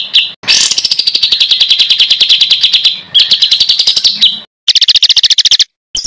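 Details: Loud, piercing trilled song used to master competition birds: a long fast buzzy trill that descends slightly, a short repeat, then a rapid metallic pulsed burst, separated by abrupt silences.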